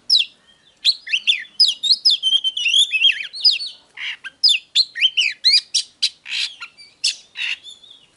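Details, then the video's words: Oriental magpie-robin in lengthy, vigorous song: quick tumbling whistles, twisting slurred notes and harsh rasping bursts, repeated in energetic runs over eight seconds. "Chòe than HÓT"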